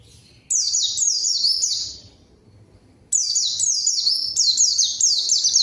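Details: White-eye in full song, used as a lure to draw a rival that answers and joins in: two bursts of rapid, high, sweet whistled notes, each sliding downward, separated by a second of quiet.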